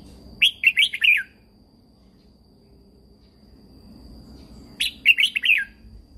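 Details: Caged red-whiskered bulbul in Thailand, its song used to train and rouse other birds; two short phrases of rapid, bubbly descending notes separated by about three and a half seconds of near silence.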